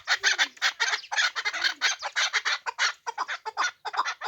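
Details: Hunting chukar partridge producing loud, harsh chuck-chuck notes in tight pairs and groups, rough and wide-toned, with brief gaps between runs.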